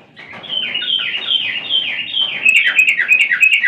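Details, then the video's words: Yellow-vented bulbul singing vigorously: a continuous run of bubbly, warbling phrases that slur up and down, repeated roughly three times per second and growing louder toward the end, with faint high ticking in the background. "suara burung Trucukan sedang gacor"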